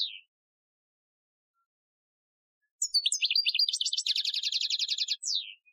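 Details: Goldfinch training song in Algerian style, recorded 2015: a short descending note, a long silence, then a quick chattering phrase merging into a dense rattling trill and ending on a falling slur.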